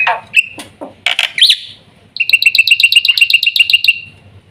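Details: Black-winged myna opening with a few harsh, scratchy notes, then launching into a fast, pulsing string of whistled notes at about four per second.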